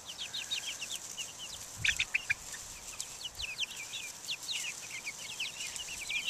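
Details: Young chickens of Buff Orpington, Black Australorp and Americana breeds, out in the open air in 2010, peeping constantly with thin, high, downslurred notes. Dozens overlap, with a brief louder burst near two seconds.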